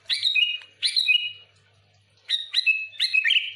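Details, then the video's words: Sooty-headed bulbul, used to lure other bulbuls: four loud, bubbly phrases, each a quick burst of slurred whistled notes settling onto a steady ringing tone, in pairs with a pause between. "Suara burung kutilang gacor full Asli,,cocok untuk pikat Kutilang ribut paling ampuh cepat respon"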